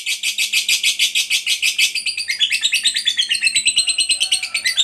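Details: Lovebird, a fighter bird with a long "ngekek" trill used to provoke other lovebirds into singing: rapid harsh chattering notes, about three per second, steady at first, then breaking into looser, varied chirps.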